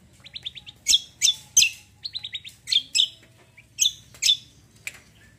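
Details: Cucak kombo, kept songbird, sings a gacor roll: rapid bursts of sharp high chirps and short trills in quick clusters, with brief gaps between phrases.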